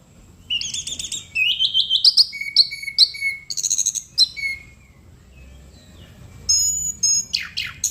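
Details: Chestnut-capped thrush in lively song. A rising trilled series leads into steady whistled notes, then a quiet pause. Sharp high chirps and quick downward sweeps close the passage.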